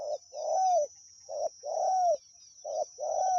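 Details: Spotted dove cooing continuously during decoy calling at Pa Roi, with three evenly spaced phrases, each a short coo then a longer slightly rising coo, about every 1.1 seconds, with a high steady whine behind.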